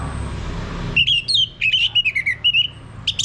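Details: Red thrush (anis merah) song played to prompt a male bird to sing: a quick run of clear whistled, slurred notes around one pitch, delivered in a rapid rhythmic burst after a second of low background rumble, ending with a sharper high note.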